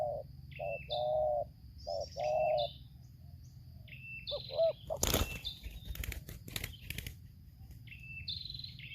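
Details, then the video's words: Spotted dove, decoy against wild bird in Lampung, Indonesia: several hoarse low coos at the start, then loud flapping and rustling bursts, with high chirps from other small birds throughout. "suara tarik akar selang nguku"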